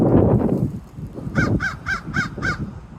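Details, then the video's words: Crows in a tree cawing: a man talks at the start, then five harsh, hoarse caws follow in quick succession, about three per second. "Crows in a tree caw at stuff."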